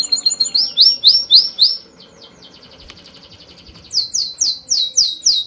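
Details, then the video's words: Birds chirping: a run of high, quick down-slurred chirps repeated several times a second, a quieter buzzy stretch in the middle, then another bright series of sharp falling chirps. "The sound of birds chirping soothes the soul"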